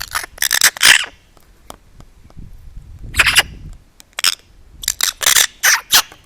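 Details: Eurasian magpie, apparently wary of a camera set close to food, gives harsh, rattling chatter in quick bursts of three or four notes, pausing between runs, a dog-like barking, with faint background noise.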